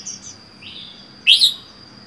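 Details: Caged red-whiskered bulbul kept alone, wild-caught and four months in the cage, gives faint high notes, then one louder bright upward-sweeping chirp near the end, over a steady high electronic whine.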